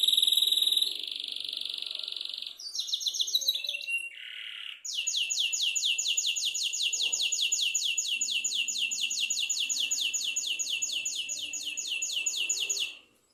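Black-throated canary singing: high sweet notes and a varied medley, then a long fast trill of rapidly repeated chirps, about four per second, sustained for several seconds.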